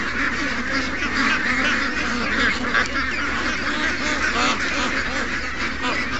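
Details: Steady overlapping quacks and honks from a morning crowd of more than 700 ducks and geese, including young ducks, forming a continuous busy din.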